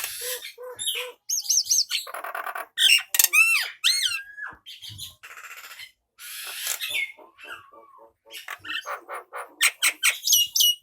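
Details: Male Nias hill myna song for training other birds: varied whistles, rising and falling slurred notes, buzzy rattles and harsh squawks in quick succession, with short pauses between phrases.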